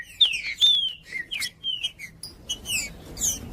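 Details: Green-winged saltator singing, a recording meant to warm up cold birds and train chicks: clear falling whistles, one after another, then softer high chips and sweeps.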